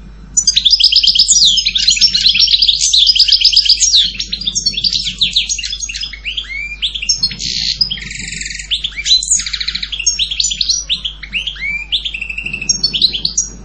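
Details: Sustained European goldfinch song: long run of liquid twitters, rapid chirps and buzzy trilled phrases, with a nasal rasping segment near the middle, delivered almost without pause.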